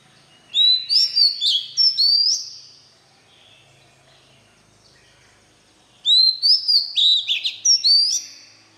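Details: White-rumped shama singing to teach young birds: two bursts of rapid, high whistled notes with swooping slides, separated by about three seconds of quiet background hiss.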